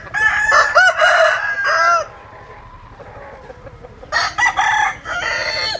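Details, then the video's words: Rooster crowing twice: a loud harmonic crow in the first two seconds with stepped syllables and a long held end, a quiet gap, then a second crow from about four seconds. "Tiếng Gà Gáy Hay Nhất 2021"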